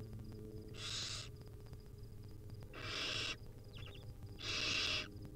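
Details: Wild barn owl nestlings fed by their mother give three hoarse hissing screeches about two seconds apart, with a soft, short chittering note between and a low hum behind.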